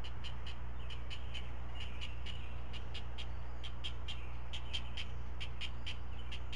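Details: Great blue heron nestlings, four of them, fed breakfast of regurgitated fish; steady series of dry ticking clicks, roughly four each second, with faint chatter and a constant hum.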